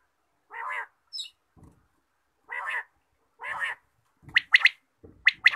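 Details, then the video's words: Quail calling in the morning, three harsh, buzzy nasal notes about a second apart, then a quick run of sharp, higher clipped notes in twos and threes; little else heard. "batair ki awaz subha"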